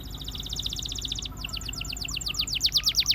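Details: Russian canary giving a quick, even trill, then a run of loud downward-slurred whistles growing stronger, over a steady low background rumble.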